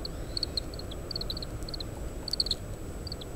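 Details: Oriental greenfinch feeding on seeds from split Japanese stewartia fruits, shelling them, recorded with a parabolic microphone in strong wind: short, high, bright twittering notes in quick clusters of two to four, scattered through the clip over a low wind rumble.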